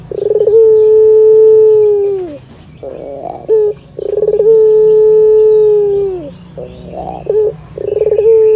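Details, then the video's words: Melodious Barbary dove song that a cat listens to, a repeated phrase of a pulsed rolling start swelling into a long level coo about two seconds long that drops away, given three times with buzzy churring between. "SUARA BURUNG PUTER MERDU"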